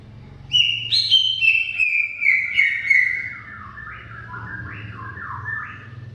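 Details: Greater green leafbird singing a long, continuous song to coax a silent bird: a quick cascade of high whistled notes descending gradually, then lower looping warbled phrases, rising and falling about three times per second.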